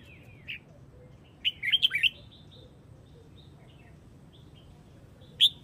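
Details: Red-whiskered bulbul from Huế, Vietnam, calling the flock: a short cluster of quick, bright warbled notes followed by faint softer notes and a single loud chirp at the end.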